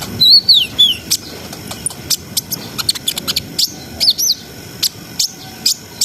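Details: Brown-throated sunbird, gacor song in ngriwik ngerol sambung style, played for breeding arousal: opens with sliding high whistled phrases, then fast scattered sharp ticks and squeaks, a few louder doubled notes near the end.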